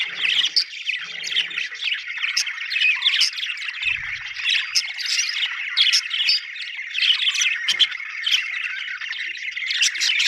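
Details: Happy budgies chirping together in a thick, unbroken chorus of squeaky warbles, harsh squawks and quick clicks, with a short low rumble near four seconds.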